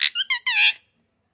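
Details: A talking pet parrot, said to speak six Indian and English languages, gives a quick run of four shrill, nasal syllables lasting under a second, then silence in a small room.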